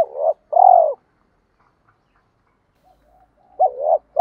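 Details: Spotted dove coos used for exciting males and training decoys: a fragment of a coo, a longer falling coo, a quiet pause, then more short throaty notes at the end.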